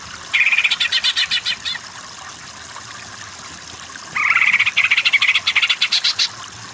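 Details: Two bursts of rapid, buzzy pulsed notes from a greater green leafbird, separated by a pause of about two seconds; recorded to train other birds to sing with more power.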